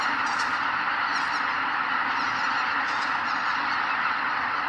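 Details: Greater white-fronted geese in a huge flock leaving their roost at sunrise, Kabukuri-numa marsh, Miyagi Prefecture, Japan; a dense, continuous roar of overlapping honking calls and rumbling wingbeats, with a few higher, clearer cackles standing out near the start.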